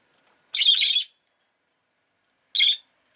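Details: Rosy-faced lovebird giving two harsh, buzzy, high screeches, the first about half a second long, the second shorter, two seconds apart against a silent background.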